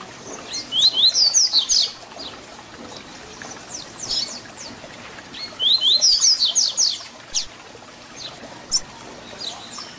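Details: Double-collared seedeater (papa-capim) singing the 'tui tui zel zel' style song used for teaching young birds: two bursts of quick high buzzy, sliding notes about five seconds apart, with fainter scattered chirps between.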